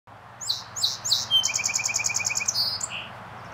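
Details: A Song Sparrow at 7:30 a.m. on 10 May 2012 at Marks Park, Parksville, Vancouver Island, BC, sings three bright opening notes, then a rapid buzzy trill over a quick run of lower notes, ending on a single clear note, over a faint low hum.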